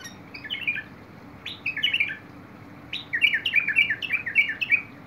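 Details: Singing bulbul, dated 21 August 2022: a few scattered warbled phrases, then a rapid run of five or six bubbly, slurred notes in quick succession, with soft clicks at phrase starts.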